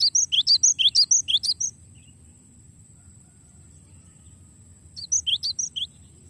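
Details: Glatik batu, or cinereous tit, in long rolling song for songbird training: a rapid run of about twelve loud, high, alternating notes, three seconds of quiet, then a softer second run.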